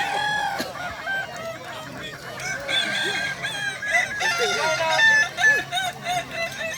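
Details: Kukuak Balenggek cocks competing in a singing contest at Danau Bawah, Sunday 6 October 2024; a chorus of overlapping crows with looping, wavy multi-part endings, mixed with a murmuring crowd.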